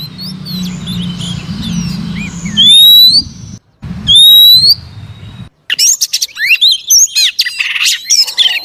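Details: Female Oriental magpie-robin giving rising whistles over a low hum, then breaking into a fast chattering sequence of chirps and short twisting notes after a brief silence.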